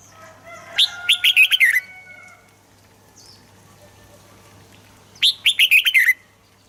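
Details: Red-whiskered bulbul song for stimulating birds: two matching phrases of quick, bubbly, descending warbled notes about four seconds apart, with faint whistles trailing the first and a constant low hum.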